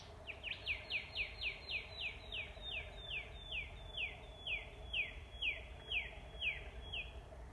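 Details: Rufous Whistler recorded on an iPhone at Paringa Paddock National Park, South Australia, near a wetland; a rapid series of about twenty loud, downslurred whistled notes, roughly two per second, over a steady low background hum.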